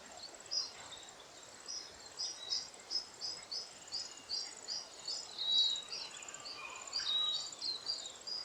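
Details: Lesser redpolls, mostly females, taking alder seeds in winter in the Maungakotukutuku Valley, Kapiti, New Zealand. A rapid chattering run of short high notes, about three per second, continues over a faint insect drone.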